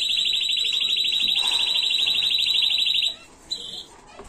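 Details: Canary tutor song for teaching chicks, 2022: one loud, even, high rolling trill held for about three seconds, then near silence with a brief short note.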